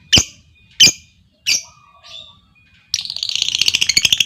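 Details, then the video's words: Lovebirds: three piercing squawks from the calling female, then a fast rattling trill starts, pulses coming about ten a second, as another lovebird answers with a long trill. "SUARA PANCING LOVEBIRD BETINA, LOVEBIRD LAIN LANGSUNG NGEKEK PANJANG Dengan Suara Lovebird Memanggil"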